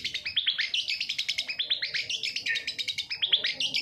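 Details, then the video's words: Long-tailed shrike song for luring a reluctant bird into singing; rapid continuous chatter of scratchy notes about eight per second, with mimic-like whistled inflections. "suara panncingan cendet agar bunyi dan gacor"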